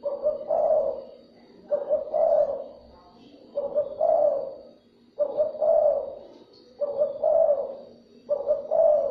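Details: Spotted dove calling to excite and draw in other doves: six low, hollow coo phrases in steady succession about every one and a half seconds, each opening with a short note and ending in a longer coo.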